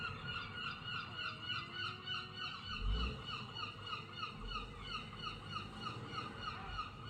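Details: Gulls calling loudly in a continuous chorus of nasal, yelping notes, repeated about three times a second with a pulsing rhythm, over a low rumbling background.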